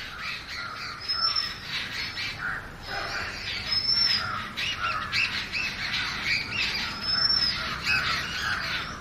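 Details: Oriental magpie-robin song of bright, sliding whistles spaced a few seconds apart, set against busy bird chatter.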